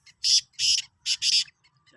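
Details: Sindhi black francolin, dated 16 March 2023, giving a harsh, buzzy call of four grating notes in two pairs, each note short and rasping, across under two seconds with a quiet background.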